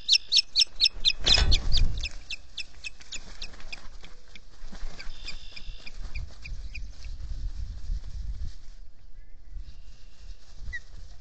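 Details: Three ospreys on a nest at Salt Point in the Finger Lakes, US, caught by a solar-powered nest camera early on 30 April 2022. A rapid run of sharp, high chirps opens loudly, then fades, with a heavy bang as wind knocks the camera housing.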